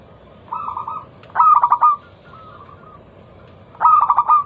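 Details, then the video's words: Lure song of a local zebra dove to start other doves calling: a soft purring coo, then a loud clipped stuttering phrase, a faint trailing coo, and another loud stuttered phrase. "Masteran pancingan burung perkutut lokal suara Lantang kristal"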